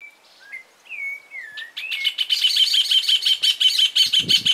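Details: Rufous-bellied thrush (Turdus rufiventris) singing at sunrise in a garden: a few clear, sliding whistles, then a fast run of sharp, buzzy high notes about three per second, with a low thump near the end.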